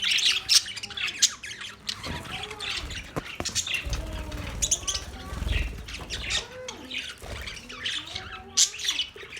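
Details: Australian budgies giving a mix of harsh squawks and warbled, wavering chatter notes, several voices overlapping, with scattered sharp chirps throughout and a low rumbling background noise.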